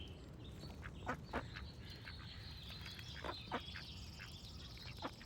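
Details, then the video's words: Duck uttering loud short quacks in pairs, around one and three seconds in, with high bird trills and chirps continuing behind and faint low rumble. "Cute Duck Quack Sound Effect with Birds Singing"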